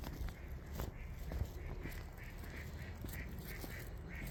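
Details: A duck gives short nasal calls in a steady series, roughly two to three per second, fairly faint against a constant low rumble of background noise.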